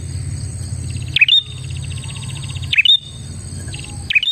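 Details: Prinia song meant to lure other prinias: three sharp chirps dipping and rising, roughly every 1.5 seconds, between them a fast rhythmic buzzy trill; low hum underneath.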